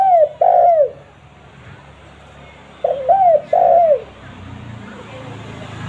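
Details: A spotted dove coos for luring: one phrase ends with falling notes, then after about two seconds a rolling short note and two downslurred coos follow, with soft background rumble.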